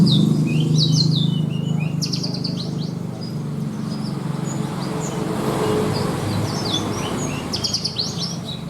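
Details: Caged Horsfield's bush lark (branjangan) kept for bird song contests, singing a richly filled mimicry song: quick sharp chirps and short downslurred notes in bursts, with a steady low hum and passing vehicle noise.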